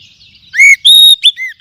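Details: Oriental magpie-robin (kacer) lure song for stimulating other kacer to sing: three or four loud, clear whistled notes, one rising, one long and level, the rest short and slurred, each distinct, with no background sound.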